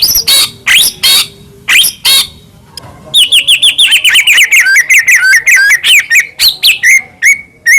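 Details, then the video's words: White-rumped shama in full varied song, used to provoke other shamas: harsh rasping notes, then a long fast stream of chattering, warbling whistled phrases falling slightly in pitch, ending in clear whistles. "murai batu gacor AMPUH buat PANCINGAN murai batu agar bunyi"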